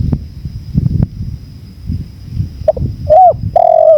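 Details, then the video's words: After a few seconds of low wind and faint taps, a spotted dove starts cooing: two soft short notes, a rounded coo, then a loud, long, steady coo. "MASTERAN TEKUKUR 2024||PADUAN suara ANGIN ALLAM"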